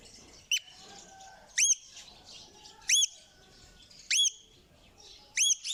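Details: Parrot uttering a series of five loud, hooked, rising screeches spaced a little over a second apart, with quiet bird chatter behind.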